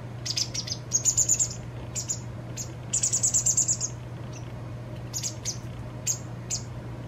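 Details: White wagtail fledgling receiving food from its parent, two days before independence. It gives two bursts of fast pulsing high trills near one and three seconds, with scattered single chirps between, over a low hum.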